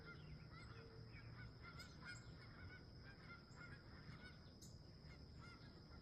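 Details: Wild geese calling at sunrise beside a campsite: distant, quiet honks scattered through the recording over a constant low, rushing background noise.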